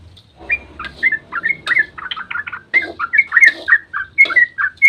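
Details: Sooty-headed bulbul, a lively dawn song used as a lure to prompt other bulbuls to answer: short bubbly whistled phrases, each note rising or dipping sharply, repeated in quick succession with brief gaps.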